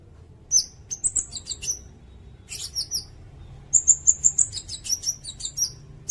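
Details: Sirindet song for tutoring songbirds and luring, a busy run of very high chips and short whistled notes, including a quick series of five even piercing notes near the middle.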